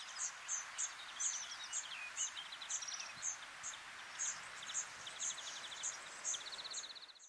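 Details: A European serin at Quiberon, France, in April 2023 gives very high, thin chips about twice a second, broken by brief sizzling, jingling trills, over a steady background hiss.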